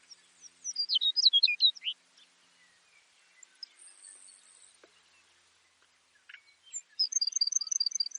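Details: Song of Baird's sparrow, a migratory prairie sparrow: a tumbling cluster of high, sharp zipping notes, a quiet gap with a faint thin whistle, then an even rapid trill of bright repeated notes.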